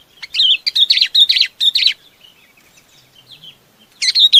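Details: Chinese babax flock call: a burst of loud, harsh, quickly repeated chirps, then soft scattered notes, and a final loud chattering phrase at the end.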